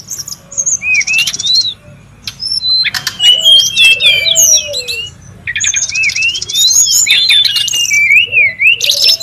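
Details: A wild brown-chested jungle flycatcher gives lively lure and master calls: zigzagging high whistles and buzzy trills in bursts separated by short gaps, with a soft low whistle at times.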